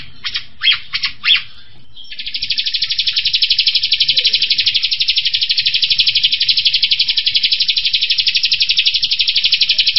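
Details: Striated grassbird, known locally as kapas tembak, giving its 'tembakan' rapid-fire song, described as fast and tight: three short buzzy bursts, then a long, even, high trill pulsing about four times a second for eight seconds.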